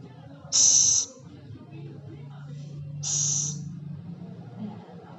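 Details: Scops owl, known locally as celepuk or ceguk, making two sharp, breathy hisses about two and a half seconds apart, above a steady low droning hum.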